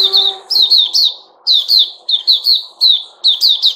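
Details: Sooty-headed bulbul (Puteh Raja) in captivity, recorded 10 July 2021, repeats bright, slurred chirps in pairs and triplets at a lively pace. Faint low background murmur is present.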